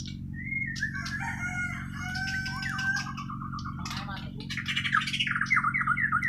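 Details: White-rumped shama from Borneo (Kalimantan) singing naturally: long whistled notes and falling slurs, then a fast series of repeated descending whistles near the end, over a steady low hum.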